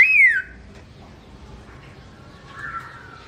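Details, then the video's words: A black-throated laughingthrush (Garrulax chinensis), singing while its owner is away, gives one loud, clear whistle sliding downward, then a softer falling note after a quiet pause. "Bird Garrulax chinensis: Birdsong Chirping Melodious"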